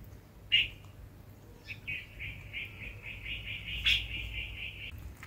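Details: A pet parrot eating guava seeds makes a sharp click, then a steady rapid pulsing, buzzy clicking series lasting about three seconds, broken by another loud click, in a quiet room.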